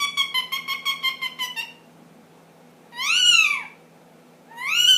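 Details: Indoor pet ring-necked parakeet, ten months old, doing funny noises: a rapid string of about nine nasal pulses, followed by two loud, harsh squawks that arch up and fall.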